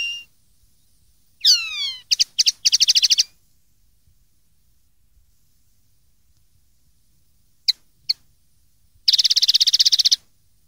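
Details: Common linnet singing, recorded in 2013 to teach young linnets their song: a swooping downslurred whistle, quick twittering bursts, two isolated chips, and a fast buzzy rattling trill of about four notes per second.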